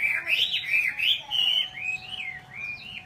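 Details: Chinese hwamei song: a continuous flowing series of clear, looping whistles that swoop up and down, delivered without pause over a faint constant background hum.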